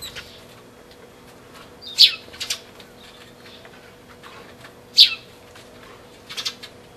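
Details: A sparrow pair recorded 20 March 2012; two loud, sharp chirps stand out three seconds apart, each trailed by softer twittering notes, with a quiet hum underneath.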